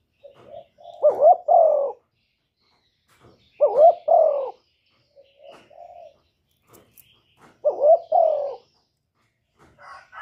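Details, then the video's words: Spotted dove male calling to make a female lay: three deep cooing phrases about every three seconds, each a brief upward note then a longer descending coo, with faint short soft notes in between. "Tiếng chim cu trống kích mái mau đẻ"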